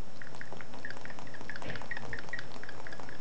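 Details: A male galah, adopted from a parrot rescue a day earlier, makes short, squeaky, mid-pitched notes in quick succession, imitating a cat's meow, over a low indoor rumble.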